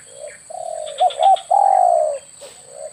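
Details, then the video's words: Spotted dove lure call for hunting doves; a soft low coo leads into two quick accented notes and then a long, slightly rising, drawn-out coo, closing with quieter coos. "SUARA PIKAT BURUNG TEKUKUR/DERKUKU"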